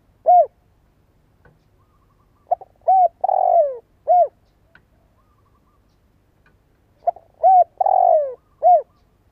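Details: Low cooing from a spotted dove decoy bird kept to make other doves call. Two full phrases of short notes, a drawn-out falling coo and an arched ending, separated by several seconds of near silence.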